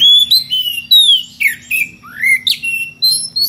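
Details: Calling a rival, an Oriental magpie-robin in ngeplong style gives loud, piercing whistles: long falling notes, upward-sweeping slurs and sharp clipped chips, each separated by brief gaps, with a low electrical hum beneath.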